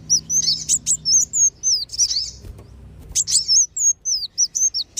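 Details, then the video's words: Sunbird lure recording, kolibri wulung and sogon, for drawing wild birds down: bright high chirps and curling downslurred whistles, a short lull midway, then rapid chips again. "SUARA PIKAT BURUNG KOLIBRI WULUNG DAN SOGON"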